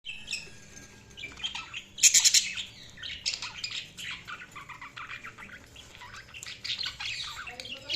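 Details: Budgerigars chirping: a dense, buzzy, warbling chatter of high scratchy notes, with a brief louder burst of squeaky chirps near two seconds and continuous overlapping twitters throughout.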